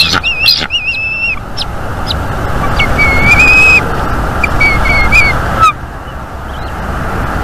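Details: Bald eagle pair mating at a northeast Florida nest on a live camera, morning of 28 January 2022: short high whistled chirps and a rising trilled series, set against constant rushing background noise.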